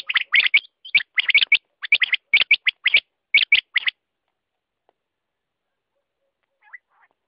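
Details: Quail chirping in quick pairs and triplets of bright high notes for about four seconds, followed by near silence with a faint note or two.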